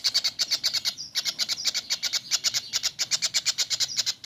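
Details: Kingfisher calling on a training recording meant for cage birds: loud, sharp, rasping notes rattled off roughly seven per second, with a few short thin whistles slipped between the pulses.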